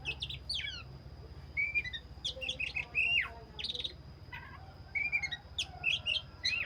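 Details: Vigorous 'gacor' song of a black-breasted magpie-robin: a lively run of sharp whistled notes, downslurred chips and quick trills in bursts, with a low constant hum beneath.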